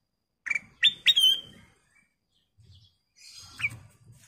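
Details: Golden bulbul, locally kutilang emas, uttering a brief burst of rich whistled notes with a level trailing tone, then a pause and one more rising note over soft background rustle.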